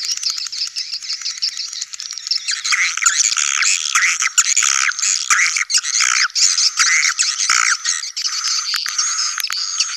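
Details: Swiftlet colony lure sound called sedot anakan, meant for new swiftlet buildings; continuous chorus of many birds with rapid repeated chattering notes, busier after two seconds.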